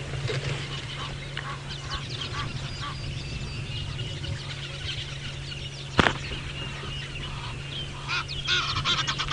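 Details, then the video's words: Egyptian geese calling very loudly at sunrise in Djuma Game Reserve, Sabi Sand, South Africa: a continuous run of rapid, harsh honks, with other birds chattering, a sharp click midway and a low steady hum throughout. "Well, of course you can hear the Egyptian geese, they're so loud, but can we hear the red-billed buffalo weavers as well?"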